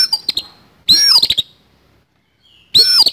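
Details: Oriental magpie-robin giving a harsh fighting song: loud rough bursts with a sharp descending whistle under rapid clicking ticks, repeated twice with a faint thin whistle in the quiet gap.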